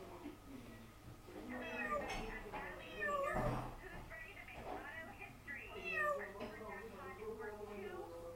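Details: Pet parrot shouting mimicked words such as "Mom", "hello" and "Bye Bye" among crazy sounds: a run of loud, harmonic, voice-like calls that rise and fall, with a sharp burst near the middle and a low steady hum behind.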